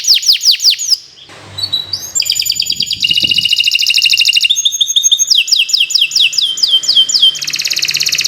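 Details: Kenari Nusantara canary training song, varied and continuous: falling whistled notes, metallic buzzy trills, and quick rolling passages shifting from phrase to phrase.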